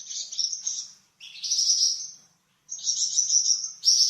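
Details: Flamboyan bird singing varied song meant for training cucak ijo and magpie robin: three long high, buzzy warbled phrases separated by brief pauses.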